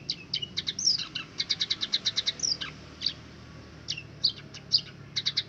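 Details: Captive Scaly-breasted munia copying canary song, learned from birds it was raised with: rapid trills of high clipped notes, occasional downslurred whistles, steady low hum behind.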